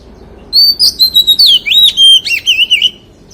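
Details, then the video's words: White-rumped shama singing in the forest-voice style: loud, rich phrase of clear whistles sliding up and down with quick warbled notes, lasting about two and a half seconds. "CHÒE THAN HÓT GIỌNG RỪNG SIÊU HAY"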